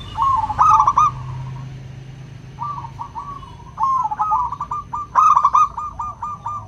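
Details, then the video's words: Local zebra dove, crystal-voiced, used to lure shy singers: an opening trilled coo burst, then a lull with soft coos, followed by a long run of rapid bubbling notes with two loud bursts. "Pancingan PERKUTUT LOKAL suara KRISTAL, untuk memancing perkutut susah bunyi"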